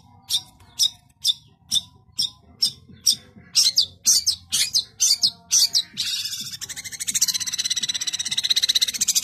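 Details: Long-tailed shrike (cendet) giving evenly spaced harsh chack notes about twice a second, accelerating into a continuous grating rattle that lasts to the end.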